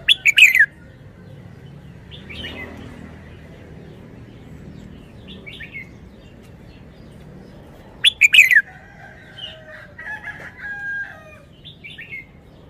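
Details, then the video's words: Red-whiskered bulbul kept as a cage bird gives its wild-song (phleng pa) phrases. Two loud bursts of rapid, slurred whistles about eight seconds apart, with quieter warbled notes and chirps between them. "นกกรงหัวจุก 292 เพลงป่า แกนโต"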